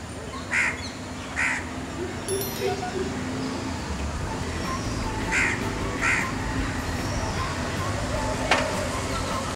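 Southern coucal giving harsh, rasping calls in two pairs, each note short and grating, over a steady low rumble.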